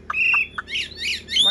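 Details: A tame, large-bodied, blue-eyed caged Chinese hwamei still sings while its cage is carried, apparently singing against a phone, as it gets dark. It gives a quick burst of short clipped notes and a held high whistle, then loud harsh buzzy phrases rising in pitch.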